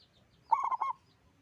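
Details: A single phrase from a local zebra dove known for its loud voice: a quick string of four low, bubbling coo notes run together in under half a second, with faint high chirping behind it.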